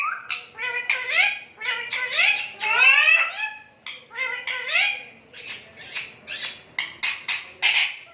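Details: Pet Indian ringneck parakeet imitating human speech in Urdu and Hindi: rapid runs of speech-like syllables with bending, squeaky tones, then a burst of harsh chattering notes indoors.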